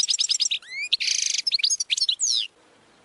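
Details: Goldfinch training song packed with quick tinkling notes, a rising slurred whistle, a harsh buzzy burst and more chattering twitters, closing on a descending sweep before falling silent.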